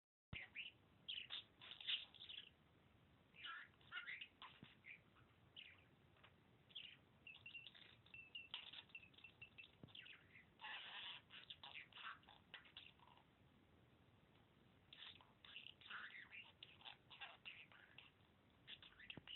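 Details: Taco, a 7-month-old male budgerigar talking for only two weeks, chatters in rapid, scratchy warbles and clicks while practicing mimicked words (his name, "pretty bird") and kissing sounds.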